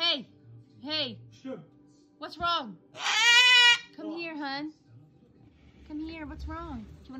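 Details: An umbrella cockatoo (Cacatua alba) throwing a tantrum gives short, arched squawks and one long, harsh, ringing scream, with a person talking between the calls.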